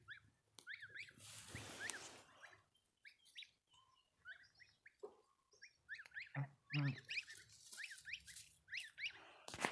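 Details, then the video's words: Newly hatched goslings giving thin, high peeps, each a quick rising-then-falling chirp, scattered irregularly with short bursts of clustered calls, over rustling and low background rumble. "Goose when they hatch !!"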